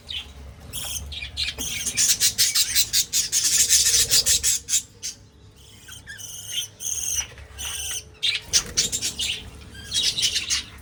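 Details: A breeding flock of budgerigars in 2026 chatters in long, rapid runs of sharp, high chirps, broken by short quiet spells and then resuming in scattered bursts.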